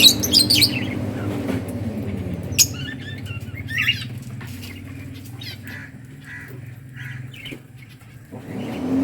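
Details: Budgerigars playing and chirping in a breeding colony: a loud cluster of sharp high chirps and wingbeat flutters at the start, then sparse short squeaky notes fading out, with a constant low hum underneath.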